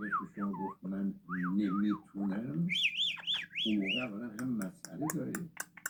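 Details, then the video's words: Yellow-headed amazon talking: speech-like babble broken by looping whistles that rise and fall, a burst of higher wavering whistles midway, and sharp clicks near the end. "amazon parrot dabel yellow headed talking"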